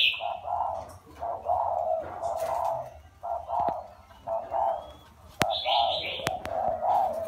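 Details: Cooing of a wild-caught spotted dove after four years in a cage: short low coo notes about a second apart, some clicks and a few higher chirps from other birds.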